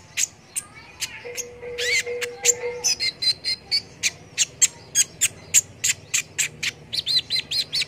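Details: Konin (brown-throated sunbird) in vigorous song for tutoring competition birds: sharp high chips roughly every half second, buzzy slurred notes early on, and a closing string of rapid squeaky whistles, with a faint low hum.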